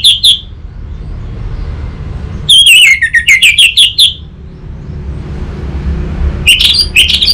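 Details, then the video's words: Orange-headed thrush tutor and lure song intended to draw a reply: an opening note, then a rapid series of wavering, descending whistles and chips, and a final burst of sharp high notes after a pause. "Pancingan dan Masteran Burung ANIS MERAH"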